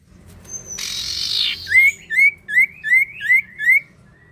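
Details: Common iora singing steadily, used as a lure to get other birds to sing: a harsh buzzy rasp followed by six clear upslurred whistled notes, evenly spaced about every third of a second.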